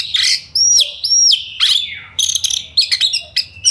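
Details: Oriental magpie-robin delivering fast 'ngobra speed rapat' song meant to provoke aggression in other birds: two looping high whistles open, followed by quick bursts of scratchy chattering notes.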